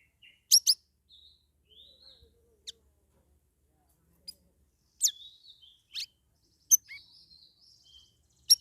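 A Straw-headed Bulbul gives short, liquid warbled phrases between sharp, loud snapping clicks, with brief pauses between bursts; no other sounds intrude.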